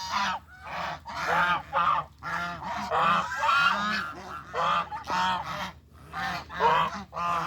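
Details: Geese walking together to find food in farm countryside give loud nasal honks in overlapping bursts, several birds calling at once in rough succession, with brief lulls between clusters.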